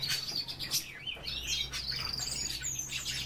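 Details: European bee-eaters calling together in a dense, overlapping chatter of short, high, rolling chirps that continue without a break, with a steady low hum underneath.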